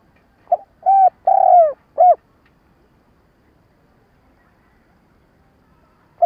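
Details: Decoy spotted dove cooing to provoke wild birds for trapping: one stuttered phrase of a clipped note, a full coo, a long falling coo and a short coo, then silence until a new note begins at the end.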